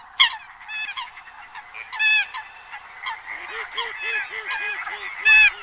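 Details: Eurasian coot lure recording for the 2020-2021 hunting season: scattered nasal honks over a steady hiss, then about nine short arched low notes repeated evenly in the second half, ending in one loud honk.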